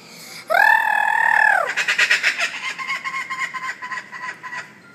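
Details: An Australian laughing kookaburra (Dacelo novaeguineae) gives a drawn-out hooting note, then a fast, rollicking run of chuckling 'koo-koo-kaa' cackles about four per second: the laughing call.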